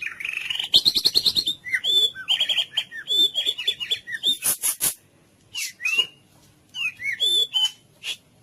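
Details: Murai batu song for rousing silent birds: clear whistled phrases with dipping and upslurred notes, a short burst of rapid clicks, then sparse whistles separated by pauses.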